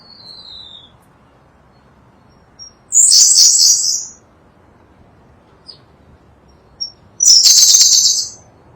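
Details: White-bellied shortwing, a small bird endemic to Java and Sumatra, kept as a tutor song for cage birds: two brief bright high twittering bursts about four seconds apart, each near a second long, with a few faint thin notes between in quiet surroundings.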